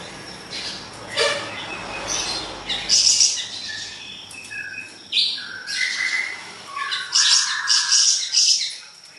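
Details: Siri-siri besar in energetic song, a recording for training songbirds: rough high chirps and brief whistles in uneven bursts, a trill of harsh notes near the end, over soft background noise.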